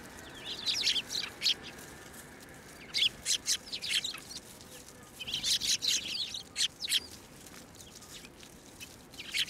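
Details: Eurasian tree sparrows, 9 December 2023, at a Tenmangu shrine, landing on a hand to take food; thin chirps arrive in two lively clusters separated by a quieter spell.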